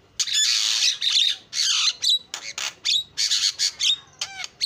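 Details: Javan myna song: long harsh hissing squawks alternating with short rasping bursts and a final bouncing whistled note, delivered in rapid succession.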